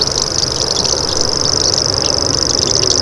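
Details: A common grasshopper warbler reels without pause, a thin, even, insect-like buzz sustained high and level, while other small birds chip briefly and a low engine-like hum runs underneath.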